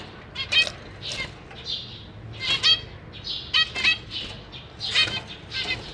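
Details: Newly fledged and juvenile zebra finches with feeding parents in a cage, May 2023: buzzy harmonic chirps mixed with thin, even hissing tones, irregularly spaced.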